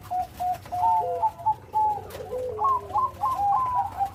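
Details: Short burst of zebra dove song, Bangkok type, with complete rhythm: evenly spaced soft coos, a lower sliding note, then a fast rising run of trilled cooing notes.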